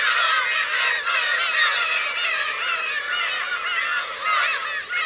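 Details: Black-tailed gull colony with parents and chicks, Kurosaki coast, Teuri Island, Hokkaido, Japan, 17 June 2021; loud, unbroken clamour of raucous honking mews from countless birds, crowded and overlapping throughout.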